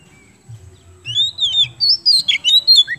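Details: Oriental magpie-robin, kemben type, in energetic song used to stimulate other birds to sing: loud, varied whistled and slurred phrases in quick bursts, some high and sweeping, others dipping sharply, over a faint low hum.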